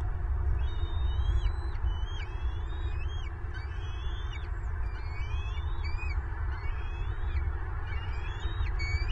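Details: Angry adult bald eagle on its Florida nest while feeding two chicks, February 2023: a long run of repeated high chittering whistles, each note rising then dropping, about one a second, above a droning low hum.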